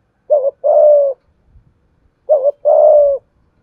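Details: 'Giọng thổ' lure call of a spotted dove used to excite newly caught birds: two phrases two seconds apart, a quick wavering coo then a long even coo, with faint low thumps between.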